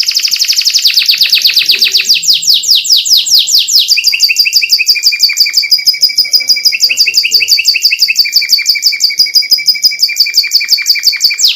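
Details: Canary masteran song, full isian with luxurious cengkok, meant to rouse other canaries: a dense run of quick descending sweeps, then a long rolling rattle-like trill that holds steady, shifting pitch slightly partway through, continuous and loud throughout.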